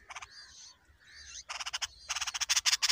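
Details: Bulbul chicks begging as a parent feeds them a huge worm: harsh, buzzy begging notes in short rapid bursts, a soft warbled phrase between, then a fast, loud, steady series of rasping pulses to the end.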